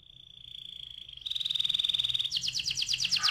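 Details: Canary singing a rolling song, offered as a lure to make other canaries sing; a steady high whistled trill turns into fast, buzzy repeated notes, then a bright series of rolling pulses.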